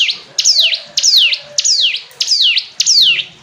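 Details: Hill prinia singing a rhythmic run of six loud, steeply descending whistles with a rising tail, roughly two per second, with faint low hum beneath.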